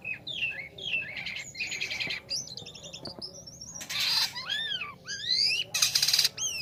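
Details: Black-winged starling performing lure song for songbirds: arched whistles and slurred notes alternating with loud, harsh, rasping bursts, the phrases changing constantly.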